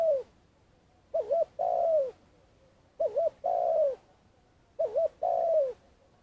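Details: Lure spotted dove used to trap wild doves, calling steadily: three clear phrases of a tremulous double coo leading into a long, sagging coo, roughly every two seconds, with nothing else audible.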